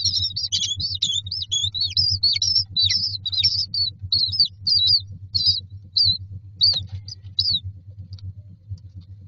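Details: Several common myna chicks lined up in a nest box await feeding, giving rapid, wavering high squeals that start as a dense jumble and thin out into separate short chirps, over a constant low drone.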